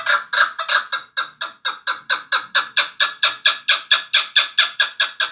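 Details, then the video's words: Chukar partridge from Vanj giving a loud, steady series of harsh clucking notes, about two per second, evenly repeated and rising slightly in strength through the sequence. "Кабки Ванҷ"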